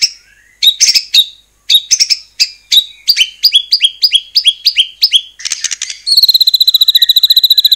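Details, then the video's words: Murai batu (white-rumped shama) song to stir other shamas into singing: a series of repeated sharp downslurred notes about two per second, quickening, then a steady rapid high trill. "murai batu gacor AMPUH buat PANCINGAN murai batu agar bunyi"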